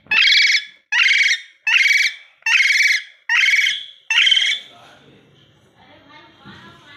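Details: Pet rose-ringed parakeet, a talking ringneck kept at home, giving six loud harsh squawking calls in even rhythm about once every 0.7 seconds, followed by quieter indoor background sounds.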